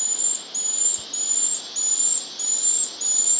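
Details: Moustached Puffbird (Malacoptila mystacalis) giving very high, thin, drawn-out whistles, each slightly rising then level, about every half second over steady hiss, at Dracula reserve, Ecuador, early August 2017, the first record for Ecuador.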